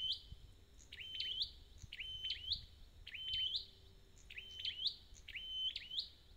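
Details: Red-headed bird in song, a recording meant for restoring a bird's voice: a bright, high whistled phrase with a sharp upward flick, repeated about every second over a steady faint hiss and low rumble.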